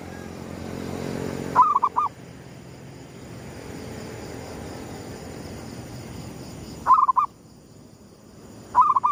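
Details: At sunrise a zebra dove of the gedong mengo type coos for luring: three short trilled phrases of clipped mellow notes, spaced irregularly several seconds apart, against constant broad background noise.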